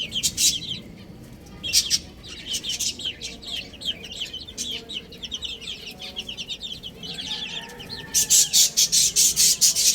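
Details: Baby chicks eating and playing give a steady stream of short, high, downward-sliding peeps, several per second. Sharp, loud, crackling bursts come in bunches at the start, near two seconds, and strongly at the end.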